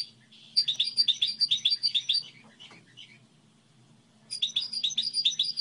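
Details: Goldfinch hybrid singing a song model, likely kept as a cage bird: a rapid run of high twittering notes lasting about two seconds, a pause with a few scattered chirps, then the twittering phrase resumes near the end; faint low hum beneath.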